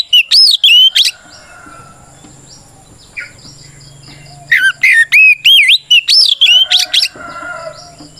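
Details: Oriental magpie-robin singing its 'ngeplong' fighting song to challenge rivals: a burst of looping whistles, a long quiet gap with soft notes, then a dense series of sharp, clipped whistles and upslurs.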